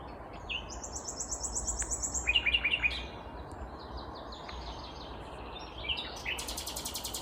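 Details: In Kvarnbo near Uppsala, Sweden, on a May morning, a vagrant common nightingale sings out of sight. It gives a quick burst of loud, rhythmic clicking notes among long high whistles and a constant low rumble.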